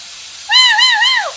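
A parrot gives a clear, tonal, wavering wail that rises and falls three times, then slides down, mimicking an ambulance siren. Faint background hiss.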